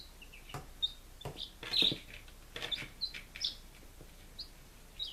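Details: Five-day-old baby chickens, Lunenburg, Massachusetts, recorded 23 July 2017: high peeps spaced out among rustling and tapping, one louder scratchy burst in the middle.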